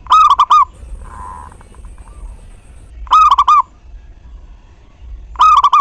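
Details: A singing local zebra dove, used as a lure so other doves join in cooing: three bold, trilled cooing phrases, each a rapid run of wavering notes, spaced about two and a half seconds apart, with a soft murmur between.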